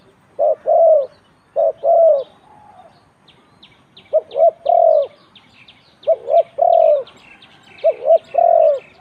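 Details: Spotted dove singing in a cooing contest, round 41: phrases of two or three quick coos ending in a longer mellow note, with pauses between them; soft chirping of small birds in the background.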